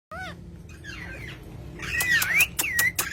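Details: Pet green parrot calling: a short harmonic call, then a wavering whistle rising and falling near one pitch, broken by sharp clicks, over a steady low hum.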